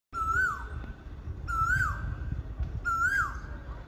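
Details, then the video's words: Asian koel singing at dawn in spring: three clear whistled notes, each sliding up then dropping, repeated about every 1.3 seconds over low background rumble. "বসন্তের ভোরে কোকিলের সুমধুর কন্ঠ"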